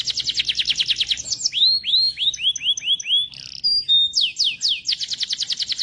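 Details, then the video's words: Canary singing energetically, opening with a rapid high trill, sliding into a series of swooping whistled notes and short chips, then a few strong downslurred notes and another quick rattling trill. "Kenari Gacor"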